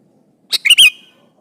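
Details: Sooty-headed bulbul calling out to an opponent: a single phrase of three quick, liquid notes, the last trailing off into a thin, steady whistle.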